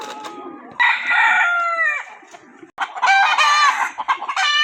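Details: Roosters crowing one after another, loud harsh drawn-out crows with a falling end, and softer clucking notes between them.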